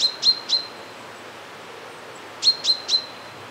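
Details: Short metallic calls of a common chaffinch, captured with a Zoom F1 and Sennheiser MKE 600: a rapid set of three sharp high notes, a pause of about two seconds, then another matching triplet, over faint natural ambience.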